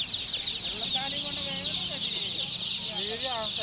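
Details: Chicks of domestic chicken chirping in a dense, continuous high chorus. Short lower harmonic notes slide up and down over it, with voice-like sounds mixed in.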